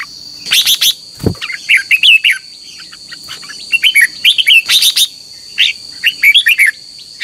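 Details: Morning contest singing by a red-whiskered bulbul, used to train and excite caged birds: irregular bursts of bright, slurred, warbled whistles and sharp chips, with a brief low thump and a steady high-pitched hum.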